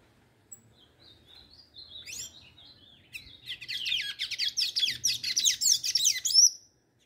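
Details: A pair of tanagers singing face to face: a few scattered thin high notes and short slurred phrases at first, then building into fast, busy, overlapping twittering that grows louder before stopping abruptly.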